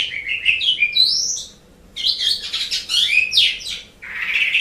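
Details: Asian pied starling song used as a training recording for pet songbirds: varied whistled phrases rising and falling, a harsh burst near the middle, then a broad raspy note to finish.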